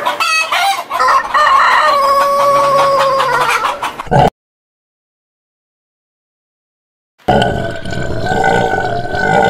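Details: Rooster crowing loudly: a long, strained harmonic crow lasting about three seconds, then a silent gap before another crow begins.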